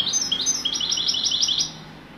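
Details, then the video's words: European goldfinch song in the wedani style: a fast run of about a dozen bright, tinkling, high twittered notes, each a quick rising-falling flick, delivered for under two seconds over a quiet hum. "تغريد حسون ويداني"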